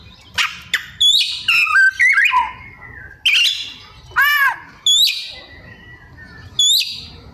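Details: Caged white-rumped shama singing energetically with mimicked fill-in phrases: loud varied whistles, sweeping upslurs and downslurs, a ringing arched note and sharp chips, delivered in separate bursts about a second apart.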